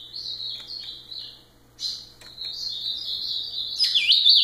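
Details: Ultramarine grosbeak singing a long, high warbled phrase of sliding whistled notes, broken by a short gap near the middle, then a louder, busier twittering burst at the end.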